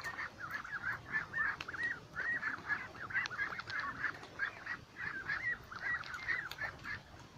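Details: A group of ducks at a lake calls in quick runs of short honking notes, bursts of several calls separated by brief gaps, many birds overlapping in a lively chorus.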